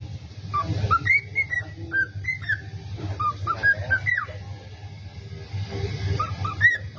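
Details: Pet cockatiel whistles the tune "If You're Happy and You Know It" in clear, warbling notes that rise and fall, with pauses between phrases.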